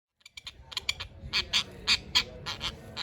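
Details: Male tropicbird fighting to protect its mate and nesting area: a series of short, harsh, rasping screeches in quick bursts, some rapidly doubled, with steady low background rumble.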